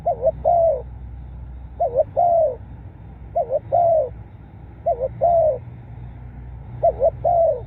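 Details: Spotted dove crowing coo: a low, mellow phrase of a quick double note followed by a longer drawn coo, repeated about every one and a half seconds, over a steady low hum.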